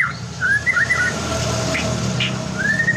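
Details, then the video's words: White-rumped shama song meant to provoke other shamas into singing: a few short slurred whistles, then a long rising whistle near the end, over steady low rumbling background noise. "LANGSUNG TRPANCING GACOR, HITUNGAN DETIK MURAI LAIN AUTO IKUT BUNYI"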